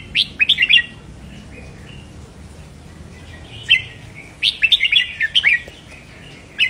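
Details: Stimulation song of the red-whiskered bulbul for caged birds: an opening rapid four-note whistled phrase, a quiet stretch, then a long bubbling run of chirpy notes.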